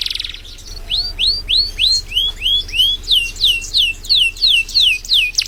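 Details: Canary song used as a master recording for training other birds: a series of clear descending whistled swoops repeated about three times a second, loud and steady against a quiet background.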